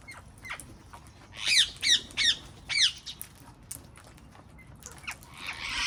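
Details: Wild parrots in a garden giving a burst of four harsh, rasping squawks in quick succession, then scattered fainter chirps with soft background rustle.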